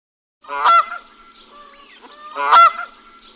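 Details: Goose honking: two loud, harsh, nasal honks about two seconds apart, with quieter softer calls and faint chattering between them.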